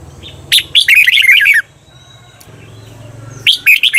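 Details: Red-whiskered bulbul in a cage-bird training recording for the doubled "bernl" song: a short note, then a bubbly run of fast warbled notes for about a second, later a fresh phrase begins; low hum throughout.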